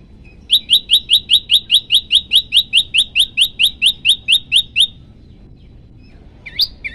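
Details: Olive-backed tailorbird, hungry and singing actively, delivers a rapid run of about twenty shrill, high, evenly spaced notes over five seconds, then falls silent before two more sharp notes.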